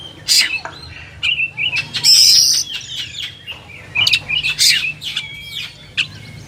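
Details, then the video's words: Kacer, the oriental magpie-robin, delivers a loud, rich song of clear whistled slurs, scratchy buzzes and quick chirped notes in short bursts separated by brief gaps, one long harsh buzzy note standing out midway. "SUARA BURUNG KACER"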